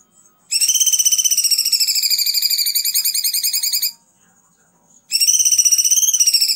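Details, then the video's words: A kunti gives a long, loud, rapidly pulsed whistled trill, high and steady with a slight rise, for about three seconds, pauses, then starts again, used as a tutor song for other songbirds such as the greater green leafbird, shama and magpie-robin. "masteran kunti"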